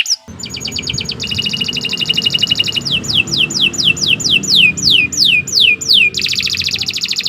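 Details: Canary singing long and non-stop ('gacor panjang'), a tutor recording for other birds: dense buzzy high trills open and close the phrase, with a run of quick descending whistled sweeps in the middle.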